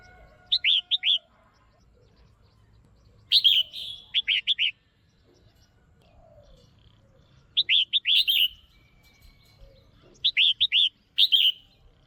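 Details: Calls of a caged female red-whiskered bulbul used to stimulate a male or for pairing: four well-spaced groups of three or four quick, sweet chirps, several ending in a longer slurred note, with quiet pauses between.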